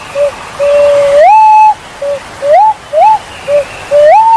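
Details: Javan fruit dove call used as a hunting lure: clear, pure whistles, some short and flat, others sliding up into a longer held note, repeated in quick series, loud and clean.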